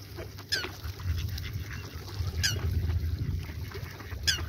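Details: Ducks calling: a few short, harsh, descending honk-like calls at intervals of about two seconds, over a steady low rumble of wind or engine noise.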